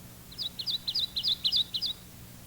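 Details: A Kentucky Warbler sings about seven bright two-noted whistled phrases in rapid succession, a repetitious chiree chiree with a musical, lively bounce, over a faint low hum.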